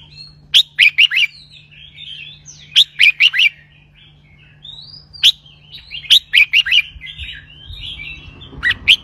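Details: Caged red-whiskered bulbul delivering a doubled 'berl roi' song: four bursts of bright, clipped whistles roughly every two and a half seconds, softer twittering in between, steady background hum.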